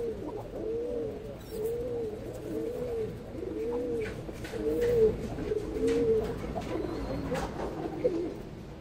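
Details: Ash-coloured baby pigeon indoors cooing in a steady series of low, arched hums, nearly one per second, swelling slightly louder midway, with a faint high whistle in the background.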